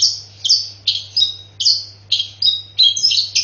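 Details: Long-tailed shrike with a song consisting only of fighting sparrow imitations: scratchy chirps in pairs and triplets, spaced about every half second, over a faint steady hum.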